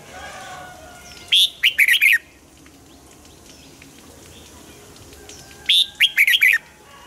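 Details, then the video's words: Two matching song phrases from a red-whiskered bulbul in a cage, each a rising whistle leading into three or four quick, bubbly warbled notes, several seconds apart. "นกปรอดหัวจุก | เสียงนกกรงหัวจุก"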